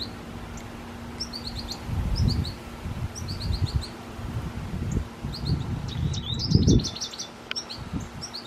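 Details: An American goldfinch in a tree where it drinks water gives clusters of short, high chirps between several low thuds and rustling sounds.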